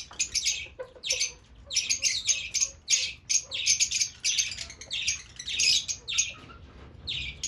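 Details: Fischer's lovebirds producing loud shrill chirps and harsh squeaky notes in rapid bursts, a restless high-pitched chatter with short pauses every second or so.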